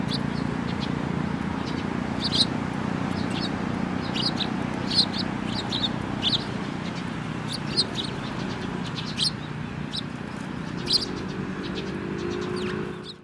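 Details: Sparrows recorded on 27 November 2017; short, high chirps scattered irregularly through the clip, some in quick pairs, over a steady low rumbling hum.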